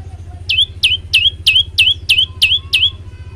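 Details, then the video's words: Eight rapid, emphatic notes from an olive-backed tailorbird, each a sharp high downslur ending in a level whistle, spaced roughly a third of a second apart. A steady low engine-like drone runs underneath. "masteran handal prenjak lumut gacor variasi"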